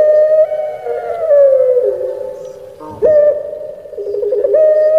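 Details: Pelung-style pet Barbary dove, Indonesia, in "crying" voice: a long coo held high then gliding gradually lower, a short break, and a sharp renewed rise into another steady harmonic note.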